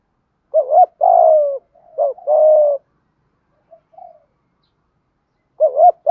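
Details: Malaysian spotted dove cooing in the thúc gù style. A quick two-part wavering note leads into a long, level coo. The phrase repeats after a pause, with faint soft notes between and nothing else audible.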